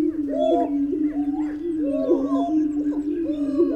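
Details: Greater prairie-chicken: an unbroken low droning tone with repeated arching whooping notes layered over it, several calls overlapping.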